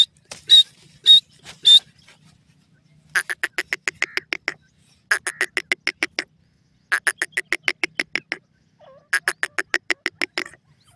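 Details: Francolin, known locally as dakhni teetar, calling: three loud, sharp high notes, then four bursts of rapid, harsh, rasping notes, each burst of about ten notes separated by short pauses.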